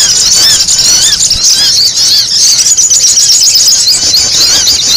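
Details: Sogon lure call used for bird trapping; a steady stream of shrill, high squealing chatter with quick repeated notes and many overlapping voices, loud and unbroken.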